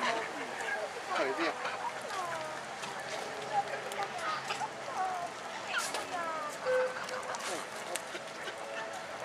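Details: Ruddy shelducks (Tadorna ferruginea) at Pairi Daiza, Brugelette, Belgium give loud, nasal, honking calls that overlap continuously from several birds, with rising and falling tones and a busy chorus quality.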